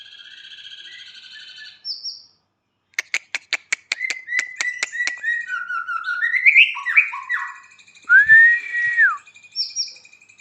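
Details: White-rumped shama singing a varied phrase: a buzzy opening, a series of sharp clicking notes, then rich slurred whistles and a loud rising-falling whistled note.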